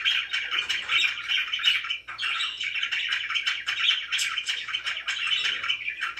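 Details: Very happy pet budgerigars chatter continuously in buzzy, rolling warbles and chirps, with a quiet low hum underneath.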